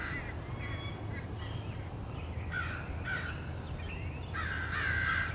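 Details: Crows mobbing a nesting male bald eagle, 30 March 2016: scattered hoarse caws and a rising whistle-like note, building to a loud grating burst at the end, over steady low rumble.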